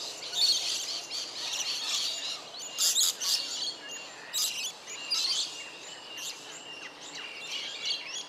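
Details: Wild rainbow bee-eater at Cairns, Australia, giving bright high chirps in loose irregular bursts, roughly every couple of seconds, with faint outdoor background noise throughout.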